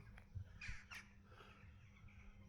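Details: Several crows calling from a church roof in the village of Toury, rural France, in spring; a few faint, harsh caws over a steady low rumble of background noise.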